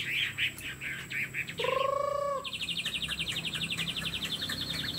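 A Chinese hwamei sings varied phrases: a few bright chirps, a lower slurred whistle, then a fast run of high notes, about four each second.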